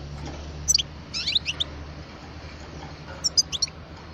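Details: Twelve-year-old parva European goldfinch singing brief high twittered phrases in two bursts, one near the start and one near the end, separated by a quiet gap with a low background hum.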